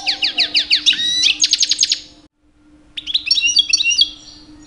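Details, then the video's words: Captive two-year-old European goldfinch male in breeding season, singing to attract females; quick series of sharp repeated chirps, then a brief silence and a renewed burst of liquid twittering, over a faint constant hum. "My 2 years old Goldfinch song"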